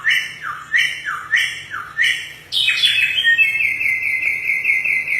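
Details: Samyong singing as a tutor for other birds: four falling slurred whistles about a second apart, then a burst of chatter leading into a long, even rapid trill.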